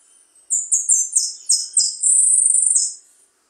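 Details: Finch, locally called jilguero, singing: a quick string of very high, buzzy, slurred notes that step downward, followed by a rapid, level, shimmering trill, then one last buzzy note, against quiet background.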